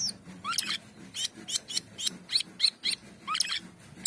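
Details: Asian pied starling in vigorous song: a steady string of harsh, chattering, broadband notes roughly every third of a second, mixed with occasional rising squeals, over a soft low rumble.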